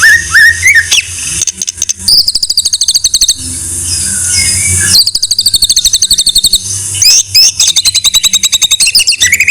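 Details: Loud white-rumped shama master song: sweeping high whistles alternating with long bursts of rapid, evenly repeated sharp notes, a brief low hum under some passages.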